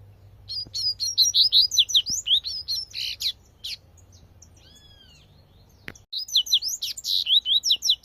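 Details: Tui tui style song from a wild double-collared seedeater in nature: two fast bursts of high, sweeping chirped notes separated by a pause holding a faint arched whistle and a sharp click before singing resumes.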